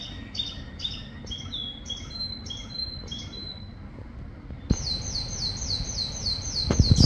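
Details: Singing canary on a rainy day, short repeated chirps at first, then a sudden loud, fast rolling trill of bright looping notes, with rain rumbling beneath and a brief knock at the end.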